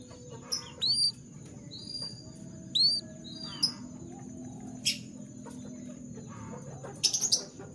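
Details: Canaries in the morning giving sparse, short, high upward-sweeping chirps and a few sharper notes, over a steady high whine and low background rumble.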